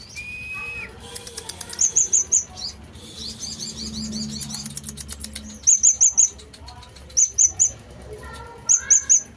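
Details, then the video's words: Sunbird singing actively, in Indonesian bird-keeping style: bursts of three or four very high, sharp chirps, each burst about a second apart, between softer warbled twitters and faint background noise. "konin gacor"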